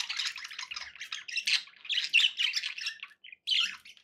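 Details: Pet budgerigars chattering indoors: dense scratchy warbles and chirps in quick bursts, broken by a short pause near the end before a final burst.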